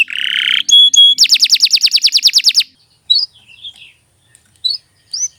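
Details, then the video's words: Canary delivering a buzzy note and two pure whistles, followed by a fast rhythmic trill of about a dozen bright notes, then a pause with a few short scattered chirps. "Kicau Burung Kenari II GACOR PANJANG"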